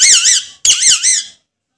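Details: Alexandrine parakeet talking in a small room: two loud, wavering harmonic phrases, each about half a second long, with a speech-like warble, separated by a brief gap.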